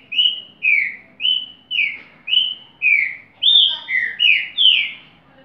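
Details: A rufous-bellied thrush repeats its whistled phrase, alternating flat and falling notes in a steady series of about ten, the later notes richer and slightly higher, quiet background.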